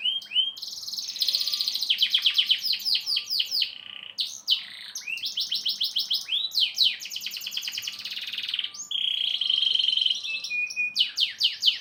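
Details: Indonesian canary singing in the durasi endurance style, a continuous chain of fast trills and rattles, downward-sweeping notes, then a long steady whistled tour before rapid chattering resumes.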